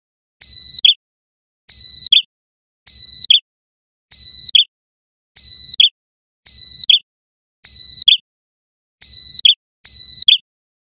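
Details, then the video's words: Male Sunda warbler in loud, sustained "gacor" song, used as a lure for wild small birds: a clear whistled note that slides downward into a sharp flick, repeated steadily about every 1.2 seconds, each with a faint low thump. "Kicau Burung Prenjak Kepala Merah Gacor Dor"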